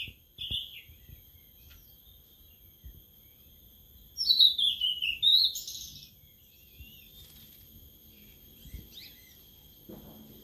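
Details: A caged sulingan laut, cared for only three days, gives one burst of song: a short high note early on, a long quiet stretch, then about two seconds of rapid sparkling, slurred notes before falling silent again.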